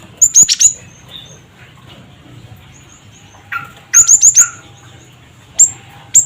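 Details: Cinereous tit (gelatik batu) giving a provoking lure call, a 'cret cret wucit' pattern: short runs of four rapid, very high whistled notes, a brief lower rasp, then single sharp whistles.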